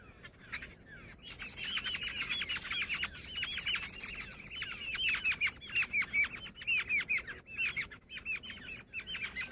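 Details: Jungle babbler, said to be female, in loud, dense chattering: rapid squeaky, rising-falling notes packed closely together, the bursts strengthening after a quieter opening and pulsing in clusters near the end.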